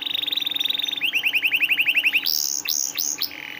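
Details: Training song of a canary meant to prompt quiet canaries to sing: a rapid buzzy trill gives way to a string of quick rising chirps, then a few loud upward-swept whistles and a short fast rattle.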